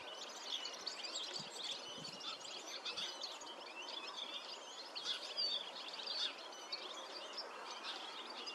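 European serin giving a fast, high jingling song of thin buzzy chirps that runs on without pause, over steady background hiss and other faint chirps.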